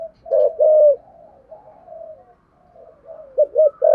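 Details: Spotted dove singing in the 'thổ sấm' voice style: two loud hoarse coos open, then a long run of softer, fainter cooing notes and a closing pair of short rising coos.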